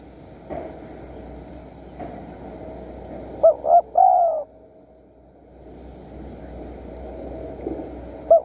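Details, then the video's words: Spotted dove in the wild during decoy luring in Surat Thani, Thailand, giving a single phrase: two quick coos, then a longer falling coo, with a few faint knocks and steady background hum. "ต่อนกเขาใหญ่สุราษฎร์ธานี หมายในบางใบไม้ นกป่าเรียกคู"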